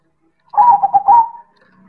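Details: Loud cooing phrase from a silver zebra dove in manggung style: several fast, pulsing coos then a longer level note, with a faint low hum audible after the phrase ends.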